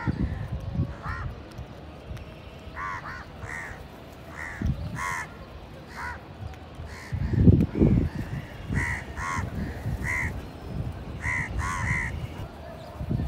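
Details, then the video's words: Indian house crows at a village feeding site, many feeding together and fighting over food, give harsh, nasal caws, often in pairs or short runs, repeated steadily over a low background rumble of wind or traffic. "Village Crow Bird Crowing Sound Loudly | Crow Ki Awaz naturally | Indian Crows Sound | কাকের ডাক"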